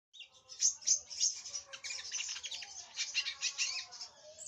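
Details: Sunbird, a bird kept by songbird hobbyists, giving a rapid, high, thin twittering song: sharp chirps and trills packed closely together, with brief louder notes early on and a steady run of twittering after.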